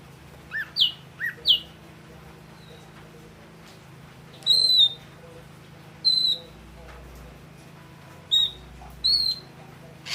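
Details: Ashy drongo, the red-eyed grey form, singing: sharp whistled notes that slide downward in twos and threes, with short pauses and a few single higher whistles between, over faint low background hum.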